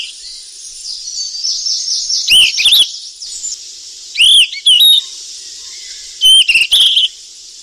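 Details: Golden flycatcher in the wild feeding young: soft twittering early on, then three loud bursts of upslurred whistles and chirps about two seconds apart, backed by steady high hiss.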